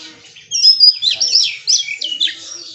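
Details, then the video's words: Oriental magpie-robin (kacer) singing 'bongkar isian', unloading its learned repertoire: after a quiet start, bright high whistled and twittering phrases in quick varied bursts, with other birds faintly audible behind. "Suara Burung KACER bongkar ISIAN"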